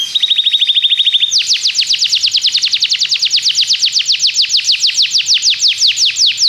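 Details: Belgian canary song used to teach other canaries: a high, even, rapid trill, then an abrupt switch to a slower run of steep downward sweeps repeated about six per second.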